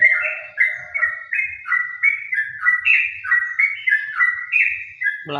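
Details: Trucukan (yellow-vented bulbul), caged, delivering rapid ropel song: a long chain of short whistled notes stepping up and down, about three per second, bright and clear, ending in a sudden clatter.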